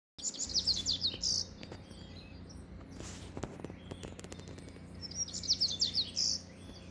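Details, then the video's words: Double-collared seedeater singing: two quick bursts of high, buzzy, chattering notes, each phrase ending in a brighter trill, separated by a few seconds of quiet with faint background noise. "Papa-capim coleira cantando"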